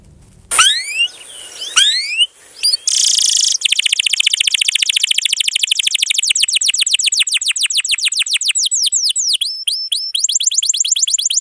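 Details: Canary in full song with long rolls and dense filling, used as tutor song for young canaries and birds that stopped singing; after a low rumble and a few harsh notes, rapid repeated down-slurred syllables run steadily to the end.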